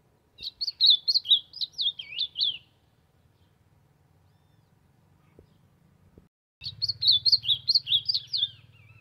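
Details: Ultramarine grosbeak singing to warm up, delivering two fast warbled phrases of about eight sweet, slurred notes each, dropping slightly at the end, separated by a pause of several seconds, with low humming in the background.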